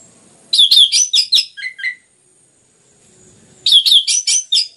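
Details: Orange-headed thrush, played to stimulate other birds to sing, delivers quick runs of sharp high chirping notes, a short descending series at the end of the first burst, then a pause and another rapid burst.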